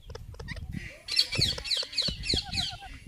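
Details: Indian ringneck parakeet talking and making noise: a quick series of rhythmic shrill chirps repeated about three times a second over low rumbling background noise and knocking sounds.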